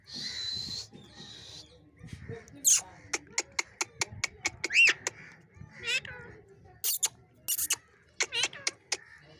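Parrot chatter with harsh, clipped squawks and clicks, several sharp bursts in quick succession and a rising whistled note, over faint voices.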